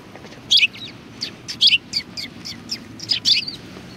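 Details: Rapid, overlapping high chirps from sparrows at a Tenmangu shrine, February 2020, forming an excited chatter of short, sharp notes with almost no pauses.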